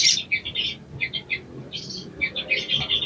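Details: Ijoan-style sogon song used as training material to get birds singing: short groups of high, rapid chirps and twitters separated by brief pauses, with a faint low rumble behind.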